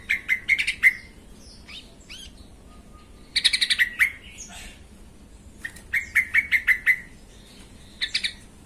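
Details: Sooty-headed bulbul lure song for provoking other bulbuls into singing: lively bubbling phrases of rapidly repeated bright notes, several in quick succession, with short gaps and faint chirps between.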